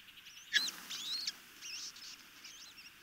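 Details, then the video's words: Osprey chicks at a Chesapeake Bay nest in Maryland calling during a feeding, 26 May 2018; a quick run of high, thin squealing and chittering notes, one sharp peak followed by softer slurred chirps. "Osprey Chicks Have a Good Feeding"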